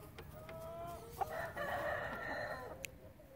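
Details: Relaxed chicken flock with a drawn-out harmonic call from one bird, rising into a steady tone for about a second, over soft background clucks and a faint low hum.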